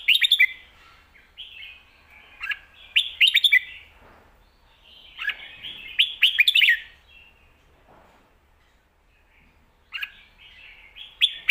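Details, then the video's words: Professional competition red-whiskered bulbul, caged, alternating lak wai and mae bot songs. Clear, bubbly phrases of three to five sharp whistled notes are delivered in clusters, with longer pauses between groups. "ลากหวาย+แม่บท สลับวางเพลงชัดๆ นกแข่งอาชีพ"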